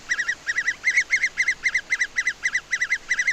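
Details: Adult great spotted woodpecker in English broad-leaved woodland in June, calling as it tries to satisfy its young: quick clusters of two or three sharp, arched notes, repeated steadily about four times a second.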